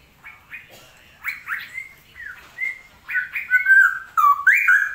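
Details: Straw-headed bulbul (cucak rowo) singing during a season that is still rainy. Loud, rich whistled phrases slur up and down, starting sparse and building into fuller, bubbling notes toward the end.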